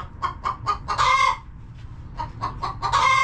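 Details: Hen clucking in a homestead coop among resting flock; short staccato clucks speed into a longer, louder squawk, then the same pattern repeats, over a low steady rumble.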